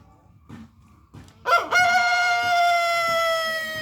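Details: Chicken crowing while being sunned and kept active in the morning. Faint scratchy movement sounds come first, then a loud crow starts with a sharp rough burst and settles into a long, steady, strongly ringing note that continues to the end.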